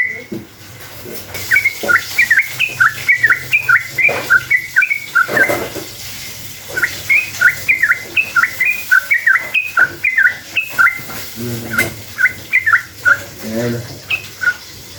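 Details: Long rapid 'ropel' song of a sooty-headed bulbul, used as a lure to draw answers from other bulbuls: dense strings of quick whistled notes in bursts over fifteen seconds, with faint low background noise.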